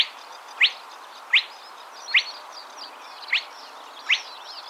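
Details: Spotted crake from Córdoba calling: sharp, whiplash-like upward-sweeping notes repeated roughly every 0.7 to 1 second, five in total, over a soft steady background hiss.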